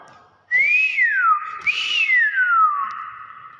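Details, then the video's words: A Nias hill myna gives two loud, clear whistles, each swooping up then gliding down over about a second, like a wolf whistle, against a quiet background. "BEO NIAS SUARA ASLI"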